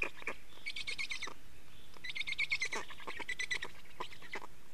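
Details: Black storks at an Estonian nest, change-over and feeding, 24 May 2019, 15:15: two long runs of fast rattling, squeaky pulses with a nasal tonal band, separated by a short pause and a few lone clicks.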